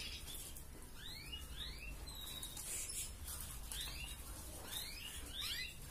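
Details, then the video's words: Red canary in a breeding-drive tutor song of the 'gacor ngerek' type: soft rising whistled sweeps in small clusters, each about a second apart, against a steady low hum. "Masteran Burung Kenari Merah Gacor Ngerek"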